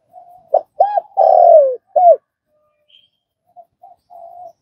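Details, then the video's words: Single spotted dove phrase for training new wild-caught doves: a faint hum, a sharp short note, a double coo, a long falling coo and a short arched note, followed by soft quiet murmuring notes. "Tiếng cu gáy"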